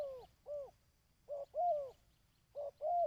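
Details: Dove cooing played to stimulate and train decoy birds: low, hollow notes in pairs, a short coo followed by a longer swelling one, three pairs in quick succession with brief pauses, otherwise quiet.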